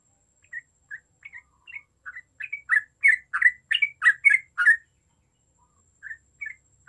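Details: Yellow-vented bulbul singing actively: spaced chuckling notes build into a dense, loud run of liquid gurgled phrases, then thin out again to a few scattered notes, with a faint steady high tone throughout.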